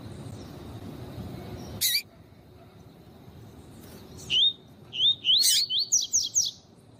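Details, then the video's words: Male double-collared seedeater, caged tournament bird, in a recording meant to excite a male: after a sharp click and quiet gap, a burst of about six rising whistled notes ends the passage. "Esquentar coleiro com Piado de fêmea de coleiro e coleiro tui tui cantando"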